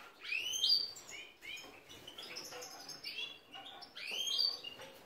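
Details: Captive-bred European goldfinch of the subspecies major, kept by a breeder in Ioannina, Greece; bright twittering song of quick rising whistled notes, with louder sweeping phrases at the start and near the end.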